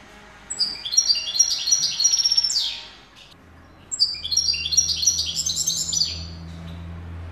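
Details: A European goldfinch (Carduelis carduelis), a pure-bred tutor singer, sings two bursts of bright, tinkling, liquid twittering, each about two seconds long, with a short pause between; a low hum enters partway.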